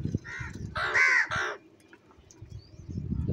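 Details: A crow among several fighting for food and eating cheese gives two hoarse caws, the first longer and louder, with light tapping before and after a brief quiet gap.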